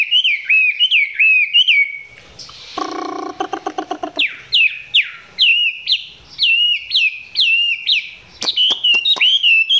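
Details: Chinese hwamei heard up close, song still not very intense. Rhythmic hooked whistles recur steadily, broken once by a fast buzzy rattle. Sharp clicks come near the end.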